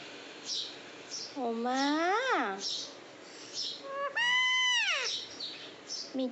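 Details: Pet parrot talking in Bengali, asking its mother to feed it: drawn-out voiced syllables that rise and fall in pitch, one long arched 'maaa'-like call in the middle, with softer murmurs between.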